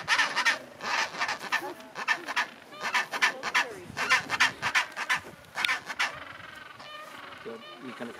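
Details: Chinstrap penguins at a colony at Orne Harbour, Antarctica, January 2023, bray like donkeys in harsh, raucous overlapping bursts for about six seconds, with human voices faintly behind.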